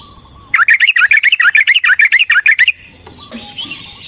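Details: Yellow-vented bulbul delivering a long, rapid fighting song meant as a lure to excite other birds: a fast, even run of about fifteen bubbly, chattering notes over two seconds, followed by softer high twitters.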